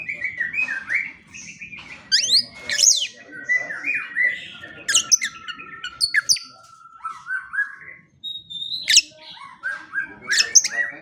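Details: White-rumped shama training song for morning and evening, varied whistles, sharp high clicks and a long steady whistled note, followed by quick rising and falling phrases, with a faint low hum behind.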